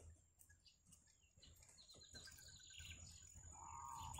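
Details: Wild yellow bitterns, a family with chicks at the nest: soft high chirps run quickly, then a wavering mid-pitched whistle closes the passage, with a low background hum throughout.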